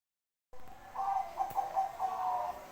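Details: Zebra dove of the Bangkok type singing vigorously: a soft cooing phrase of several quick, rolling notes at steady mid pitch lasting about one and a half seconds, with faint room hiss behind.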